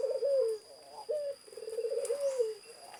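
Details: Zebra dove giving a lively cooing song: a rippling pulsed phrase that falls at its end, a short clipped note, then a longer trilled coo. A thin steady whine runs in the background.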